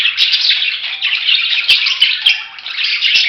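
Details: Dense, continuous budgerigar chatter of many overlapping buzzy chirps, broken by occasional sharp clicks.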